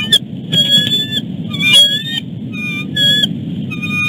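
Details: Bald eagle pair at the nest; the male leads his mate on a long chase on and off the nest before letting her have her dinner. High, thin piping whistles come in short chittering runs, over a steady low rumble.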